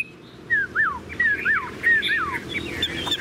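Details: Tame Chinese hwamei, said to sing nonstop like a machine with a very long voice, gives a rapid run of loud, clear whistled slurs, swooping down and rising, one or two notes per second, over a low rumble.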